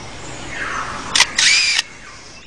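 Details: A male superb lyrebird, trying to outsing rivals and draw females, mimics a motor-drive camera: a sharp mechanical click, then a longer whirring burst of noisy clicks lasting about half a second.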